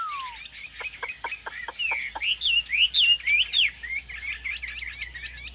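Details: Song of a caged Chinese hwamei: an opening downward slide, a string of sharp dry clicks, then quick looping whistled phrases and a closing burst of rapid high notes.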